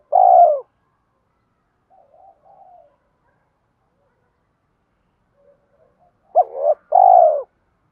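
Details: Fighting coo of a spotted dove, played to lure wild doves during trapping: one long rolling coo, a pause with faint low murmurs, then a sharp two-note opening and another long coo.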